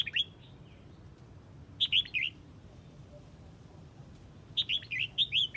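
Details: Red-whiskered bulbul from Huế calling to its flock: three bursts of bright, bubbly, warbled notes, each under a second, spaced a couple of seconds apart, over a faint low hum.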